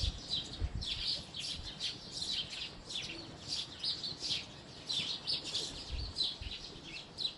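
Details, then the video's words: House sparrow chirping, many quick sharp chirps crowding over one another in a busy, continuous chatter, with faint low thumps in the background. "House Sparrow Chirping | Sparrow Chirping Sounds"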